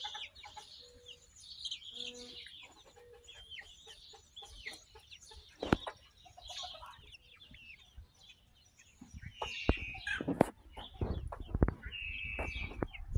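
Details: Young chickens hatched in late May, in a barnyard in June: dense overlapping high peeping and cheeping with short clucks, several birds calling at once, with occasional thumps and rustling.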